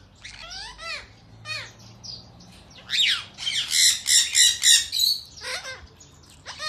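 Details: Captive Indian ringneck parakeets of yellow, blue, white and grey colours during feeding time, giving shrill descending squawks followed by a fast run of rasping screeches.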